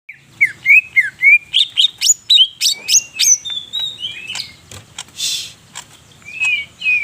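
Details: Greater green leafbird singing actively, full of varied fill phrases, in Purwosari, North Purwokerto, Banyumas: quick whistled slurs, falling and rising, about two per second, then sharper chirps and buzzy notes, with a faint low hum beneath.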